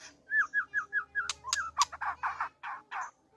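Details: White-rumped shama courting, singing a varied phrase: a run of short rising-falling whistled notes, a few sharp clicks, then a series of harsh buzzy bursts, loud and close with a low hum beneath.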